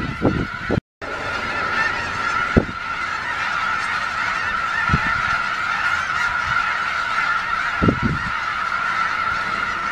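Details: Snow geese in Skagit County near Conway, Washington, soon leaving to head back north. A dense flock chorus of overlapping honks forms a steady continuous din. A few louder, lower honks stand out, and a brief silence falls near the first second.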